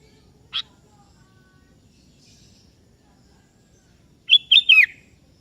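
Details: Sooty-headed bulbul of the kebo type answering a rival: a lone sharp chip, a long pause, then a fast gurgling three-note whistled phrase falling at the end.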